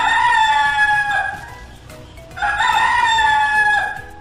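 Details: Rooster crowing, the call known in Indonesian as 'kukuruyuk': two loud, drawn-out crows, each a strained rising-then-falling cry over a second long, separated by a brief pause.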